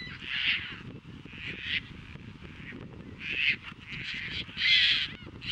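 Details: Courting Caspian terns at Montrose Beach, Chicago, on April 22, 2024, catching fish, offering them to mates and mating. Loud, grating, drawn-out rasps sound in a series of about six bursts, clearly above faint background noise.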